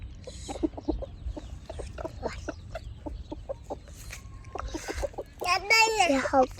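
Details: Chickens kept by their owner: a run of short, rapid clucks and clicks, about four per second, ending in a loud, wavering, harmonic squawking call over faint low background noise.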